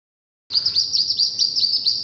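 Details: Hooded merganser, wood duck and mallard ducklings together: a steady run of high, piercing peeps, each sliding downward, about four per second. The calling starts abruptly and continues without pause.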